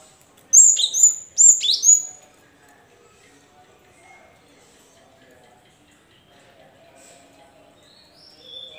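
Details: Cinereous tit singing to encourage reluctant caged birds to answer: two loud phrases of high whistles slurring downward, then several seconds of near quiet with faint distant chirps.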